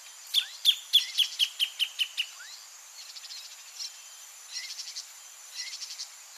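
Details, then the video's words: Greater thornbird near the nest delivering a brisk series of about eight loud, piercing notes, slightly descending, then falling silent while distant chirps and a steady high insect buzz continue. "CANTO DO PÁSSARO GRAVETEIRO no entorno do ninho (PHACELLODOMUS RUBER), GREATER THORNBIRD"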